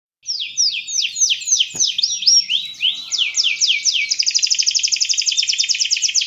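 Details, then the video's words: Canary singing loud, bright song in a clean recording: rapid high downslurred whistled phrases repeated in series, shifting midway into a fast even trill of short notes, with one brief click. "SUARA BURUNG KENARI GACOR‼"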